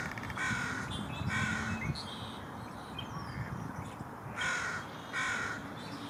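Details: An American crow at Jericho Park, Vancouver, in early March 2021 gives harsh, nasal caws in two pairs, about a second apart, with a gap between the pairs; faint wind and background bird calls, near a mallard.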